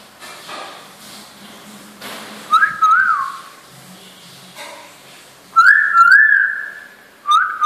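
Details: Common hill myna, a household bird about three and a half years old, kept by a cook at a rest house in Khulshi, Chittagong, recorded 5 August 2014; loud, clear rising and wavering whistled phrases in three bursts, with a person speaking softly beforehand.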